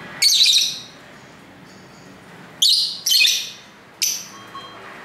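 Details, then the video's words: Lovebirds singing and talking to each other at home near a main street, recorded on a camera's internal mic: four shrill, harsh broadband chirps in two bursts, the third and fourth close together, over a faint steady background hiss. "Love Bird Sounds"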